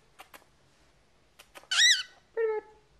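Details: Male pet cockatiel aged 14, chattering at home: faint clicks, then a loud arched screech followed by a short flat harmonic call.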